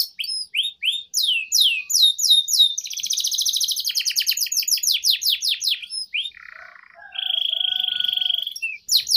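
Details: Lure recording of a long, strong canary song for training young canaries: rapid downslurred chips, a fast buzzy trill, low rolling notes, then a sustained high whistled roll.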